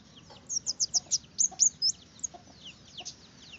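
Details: Red-headed finch singing a quick run of about eight sharp, high chirps, then softer fading twitters.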